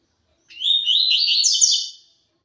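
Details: Double-collared seedeater singing tui tui zel zel style, one clean phrase of fast, high, linked whistles that rise toward the end and last about one and a half seconds, without other sounds.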